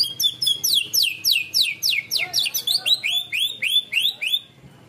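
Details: Greater green leafbird performing canary-style song material ('materi ngunci kenari'): loud, quick series of falling whistles that shift into repeated upward-curving notes, roughly three to four per second, then fade to quiet.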